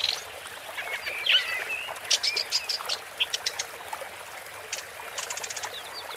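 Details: Woodchat shrike singing a scratchy, varied phrase: high warbled notes and short sweeps, then clusters of sharp clicking ticks and brief chattered bursts at irregular intervals, over a steady hiss.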